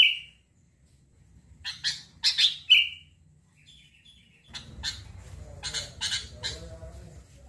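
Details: Sooty-headed bulbul, said to make any bulbul reply immediately: an opening whistled note, then several sharp clipped notes and another slurred whistle, followed by rustling and clicking noises.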